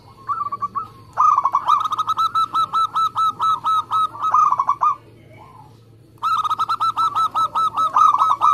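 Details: Local zebra dove singing hard, a contest-type bird: a long run of rapid, evenly pulsed coos lasting over three seconds, a pause, then another fast stuttering series.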